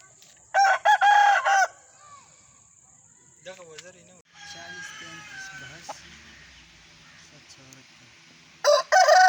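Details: Aseel roosters crowing: a few loud harsh crows at the start and again at the end, separated by a long quiet stretch with faint murmuring and low background sounds.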